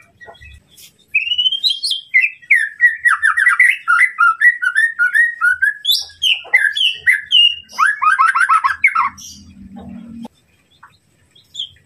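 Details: Provocative murai batu (white-rumped shama) song meant to stir a rival's aggression: a long continuous run of rich whistles and quick trills after a quiet start, ending in near silence with a faint low hum.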